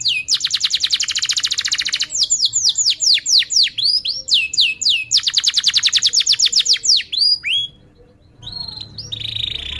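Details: Canary song played as a lure for training young birds: rapid sweeping trills alternating with slower looped whistles, a short pause, then a brief flat trill.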